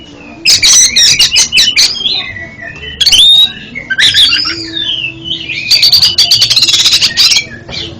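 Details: Kacer (oriental magpie-robin) singing, used to coach birds whose song stutters: dense loud chattering runs, buzzy harsh bursts and interleaved looping whistles, with a long rapid rattle near the end.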